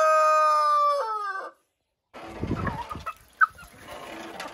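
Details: Rooster crowing: the tail of a loud, harmonic, sustained crow note that wavers, drops in pitch and cuts off after about one and a half seconds, followed by a short silence and then scattered rustling and soft clucking sounds.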